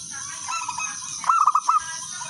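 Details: Local wild zebra dove singing as a lure to set other doves singing: one clear phrase of five quick rolling coos, each bending up then down. Softer cooing from more doves sits underneath, with steady high hiss.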